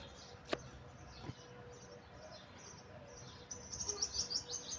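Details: Birds chirping: faint high chirps through steady background noise, then a busier burst of quick, thin, high twittering notes near the end.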